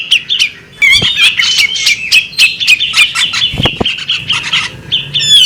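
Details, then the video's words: High twittering and slurred whistles from a female bearded magpie robin, delivered in a busy, scratchy run with brief pauses; a couple of low thumps break in partway through. "the alluring sound of a female bearded magpie robin"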